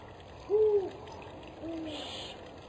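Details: Spotted eagle-owl, the mate singing during a food delivery: a loud low hoot, slightly arched, followed about a second later by a softer, lower second hoot, with a faint hiss in the background.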